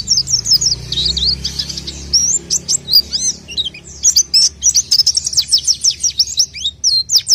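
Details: Orange-headed thrush, known locally as pelci, pouring out a rapid, varied run of high sharp chirps and slurred whistles, notes crowded together with short breaks, over a low steady hum.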